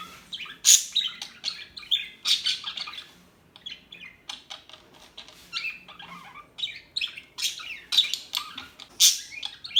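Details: Loud, shrill chirps from several small birds burst out repeatedly over a constant background of fast, squeaky twittering.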